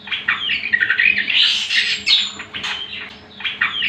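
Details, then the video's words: A greater green leafbird's song used to tutor other birds: harsh squeaky chatter mixed with scratchy buzzes and quick chirps, rising and falling in loudness, with a faint steady hum. "Pancingan dan Masteran Cucak Kombo"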